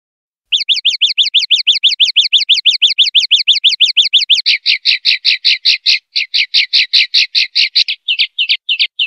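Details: Common linnet in the clean 'pardillo limpio' song style, 2021/2022 recording: a long, fast, wavering trill, then buzzier, rasping pulsed notes, and finally a few separate chirps, over nine seconds of quiet background.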